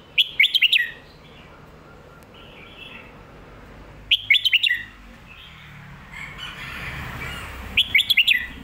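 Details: Red-whiskered bulbul singing lak wai and mae bot styles. Three quick, bouncy phrases of clear whistled notes come roughly four seconds apart, over a steady background hiss and faint extra chirps.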